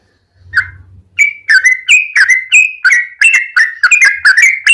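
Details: Yellow-vented bulbul singing as a lure to set off other bulbuls: after a soft opening note, warbling slurred chirps follow in an even, quickening series, about two per second.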